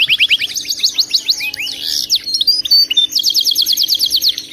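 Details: Singing canary used as a training recording: loud, fast repeated note trills, a tangle of warbled slurred whistles in the middle, then another bright quick trill.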